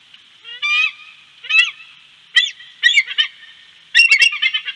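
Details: Bald eagle at Big Bear giving a series of high, thin, chittering piping notes in short bursts, each a quick stuttered cluster, spaced about a second apart, the last burst longest, over a faint steady hiss.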